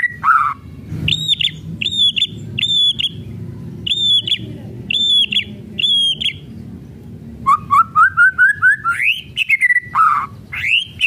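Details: Kretekan song of a white-rumped shama, meant to rouse other shamas to sing: clear high whistled notes repeated about once a second, then a quick ascending series of short whistles ending in warbled phrases.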